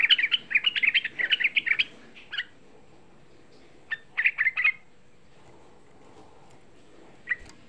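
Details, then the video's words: Young sooty-headed bulbul, a provoking lure for other bulbuls: a quick chattering burst of bright notes over two seconds, then sparse short phrases separated by quiet stretches. "Suara Pancingan Trucuk Muda Ampuh Menaikkan EMOSI, Suara Trucuk Muda Bikin Semua trucukan EMOSI"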